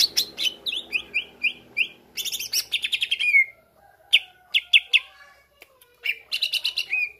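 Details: Greater green leafbird unloading its mix of phrases to excite other leafbirds: looping whistled notes, a burst of fast buzzy chatter ending in a falling whistle, sparse sharp chips, then another chattering run.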